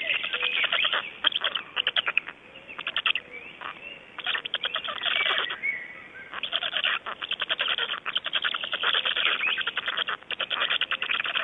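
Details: Black storks in Estonia, recorded 26 May 2012 at 05:15: dense bursts of rapid dry rattling pulses, broken by brief pauses, with a few thin whistled tones woven through the clatter.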